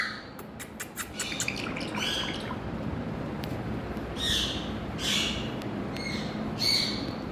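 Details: Talking Indian ringneck parakeet, colourful, producing harsh, breathy squawks in short separated bursts about once a second, with sharp ticks early on and a steady low room hum underneath.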